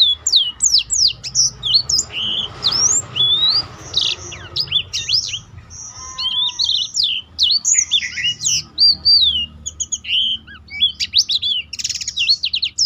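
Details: Black-throated canary singing continuously as a tutor to enrich other birds' song variety, sharp swooping whistles and chattering trills in dense phrases, one short low buzzy rattle near the middle, faint hum behind.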